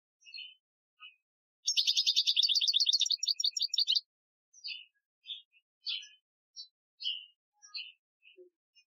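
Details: European goldfinch, Algerian style training song, 2015: scattered short chirps lead into a two-second run of fast, rattling high trills, then a series of separate sharp twittering notes spaced about half a second apart.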